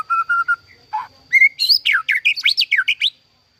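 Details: Captive-bred white-rumped shama delivering a varied song: level whistles repeated three times, a burry note, then a rapid run of sharp, swooping high notes rising and falling; a faint constant high tone underneath.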